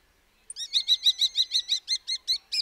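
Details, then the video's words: Common starling delivering a fast, even rattle of about a dozen clipped, metallic notes in quick succession, against a quiet background. "The call of the Common Starling"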